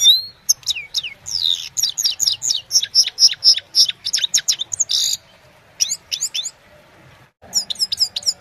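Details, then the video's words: Evening song of a Himalayan goldfinch, phone recording: quick liquid twittering phrases of clear high notes, a dry rasping buzz around five seconds, pauses, then renewed bright chattering trills. "Gold finch simple singing this is really amazing bird song"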